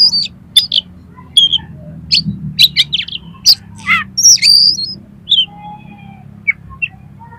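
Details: Oriental magpie-robin (kacer) song used as a lure to make a kacer sing and spread its tail: loud, varied whistled and chirped phrases in quick bursts, some notes sweeping up and down, with a low hum underneath.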